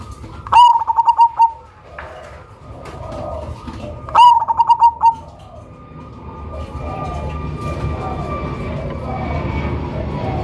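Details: Cemani-type zebra dove with a big voice, used for luring, utters two short phrases of a sharp note and quick rattling coos, then softer distant cooing and a faint steady hum.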